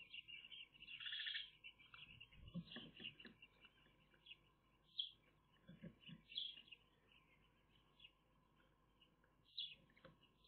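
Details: Eurasian magpie chicks in their nest, filmed by a nest camera on 30 May 2021. Squeaky high calls come in bunched bursts with pauses, mixed with soft rustling and scraping from movement in the nest, over a constant faint hum.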